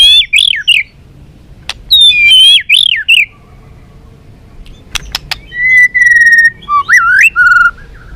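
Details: White-rumped shama, balak 6 song used as a trapping lure: quick rising-and-falling whistled phrases, a gap with a few sharp clicks, then a steady held whistle leading into a looping slurred note.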